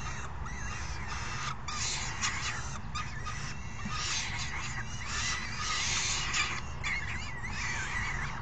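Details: Falcon chicks begging while an adult hands out food, 3 June 2018: a jumble of harsh, scratchy bursts, then quick wavering trills toward the end, over a background hum.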